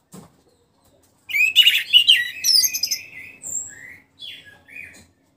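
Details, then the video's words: Orange-headed thrush, caged, just after moult and starting to sing fully again: a dense burst of rich, varied whistled and warbling phrases, sliding and overlapping, followed by a few shorter separate whistles and brief pauses. "memancing suara anis merah setelah ngurag"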